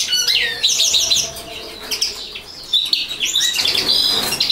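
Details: Common linnet singing: a rapid, continuous twittering of short high notes, quick trills and chirps, with some nasal, buzzy phrases mixed in, run together without pause and with little other sound.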